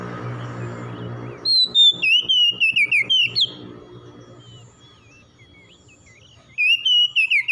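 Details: Morning song of an oriental magpie-robin, meant to help stressed birds recover. A low hum opens, then come rapid pulsed whistles sliding and warbling downward, a long pause, and a fresh burst of whistled notes at the end.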